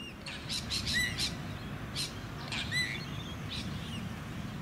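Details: Masked lapwing at a small artificial lake on the Sunshine Coast, Queensland, in May 2018; several short sharp chirps and rising squeaky notes in quick bursts over steady suburban background hum.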